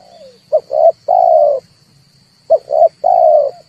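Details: Cooing red turtle dove, used to excite other birds for trapping: two phrases two seconds apart, each a pair of clipped notes and a drawn-out low coo, with a steady faint high whine.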